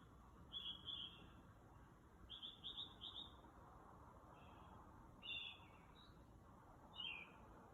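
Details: A nocturnal bird outside a home at 2 am runs through many different sounds. High chattering phrases of quick notes are broken by pauses, followed by a few single slurred notes, all against a quiet background hum.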